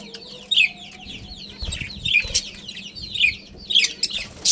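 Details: Budgerigars of a breeding family colony warbling in repeated downslurred chirps, some sharper bright notes standing out, over a soft continuous low hum.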